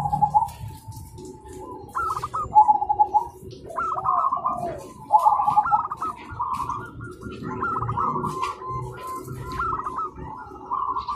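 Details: Several zebra doves cooing in the morning and answering each other: mellow, mid-pitched coos with stepped, rising and falling phrases that overlap one another. Steady low background rumble.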